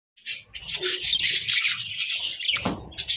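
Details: Colorful budgerigars chattering together; dense, scratchy warbled chirps run almost continuously, with one lower rasping note near the end and faint low thumps underneath.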